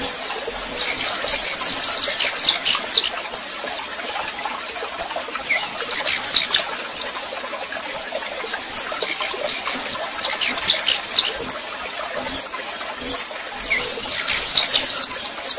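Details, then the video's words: Warming-up female red-pileated finch singing like a male: four separate bouts of dense, very high twittering, each two to three seconds long, spaced by quieter stretches of scratchy clicking noise. "Esquentando Tico Tico Rei FÊMEA MACHEANDO"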